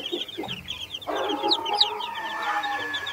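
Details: Naked neck mother hen with Brahma, Australorp and Sussex baby chicks; dense high peeping of many chicks with low clucks from the hen beneath.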